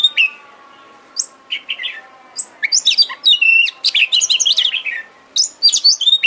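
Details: Oriental magpie-robin lure song, meant to provoke another bird into singing and spreading its tail. A rich, fast medley of sharp chirps, rising whistles and buzzy trills, with dense bursts separated by brief pauses.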